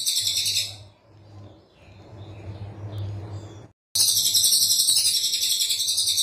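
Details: Dense 'tembakan rapat' song of a brown cililin, recorded as training master: a high, fast, shimmering trill stops, a quiet stretch with low humming follows, then the rapid buzzy trill bursts back in.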